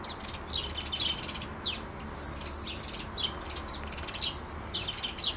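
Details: Singing European greenfinch, recorded on a Nikon Z6II camera: a series of high, quick descending chirps and trills surrounds one long, level wheezy buzz of about one second, over faint low rumble.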